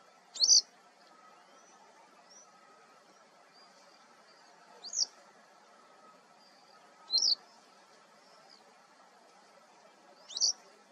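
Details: Male Western yellow wagtail, ssp. cinerocapilla, defending territory at Sant'Agata Bolognese (BO), 13 April 2022. Four sharp, high, slurred calls repeat roughly every two to two and a half seconds, with faint softer notes and a low steady hum between them.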